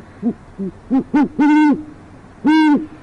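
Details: Great horned owl at an urban Oklahoma City nest: a quick run of short, clipped hoots swelling into two long, loud, resonant hoots, the last after a brief pause.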